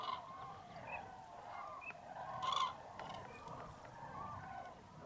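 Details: Mid-January dawn in fog at a massive common crane roost, Tablas de Daimiel, Spain, with hundreds of birds awakening; steady background calling, a loud harmonic trumpet burst midway, and shorter high notes scattered throughout.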